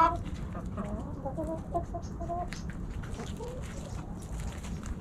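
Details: Hens and roosters in a backyard flock snacking at Thanksgiving give soft, short clucks in the first half, fading into scattered faint notes over a steady low background hum.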